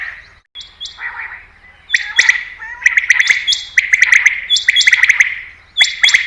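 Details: Common quail call, a sound used to lure quail when hunting: after a few softer notes, loud clipped multi-note bursts come in quick succession, with thin high whistles above.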